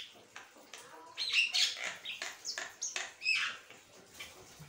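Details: Continuous chattering song of an Asian pied starling: rapid harsh rasping notes and sharp whistles pile up in a loud burst after the first second, then carry on in choppy phrases.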